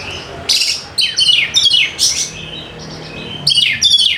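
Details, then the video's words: Lure recording of a fighter-style kacer, or Oriental magpie-robin, singing to stir lazy birds into song: dense, harsh descending sweeps and scratchy chatter, repeated in quick bursts with brief gaps. "PANCINGAN AMPUH UNTUK PIKAT KACER YANG MALAS BUNYI SEKETIKA GACOR"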